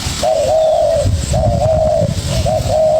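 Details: Young spotted dove calling eagerly in response to a decoy bird: drawn-out, wavering low coos in three phrases, each about a second long, with rumbling low noise underneath.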